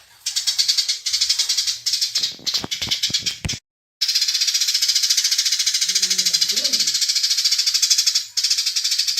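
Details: Fast fighting chatter of house sparrows: harsh pulsed chirping runs almost continuously, interrupted by sharp clicks and a brief silence, with a faint low voice-like sound later.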